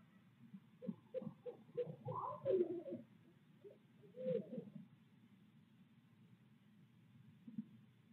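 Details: Barred owl pair in Midtown Tulsa giving pre-visit hooting and monkey chatter on 8 February 2022: a burst of excited, wavering cackling hoots, a brief second burst, then near silence with low background rumble.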